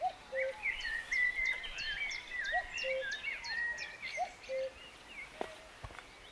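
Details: In West Sussex in May 2019 a common cuckoo repeats its falling two-note call three times, about every one and a half seconds, amid steady background birdsong from a blackbird and a chiffchaff.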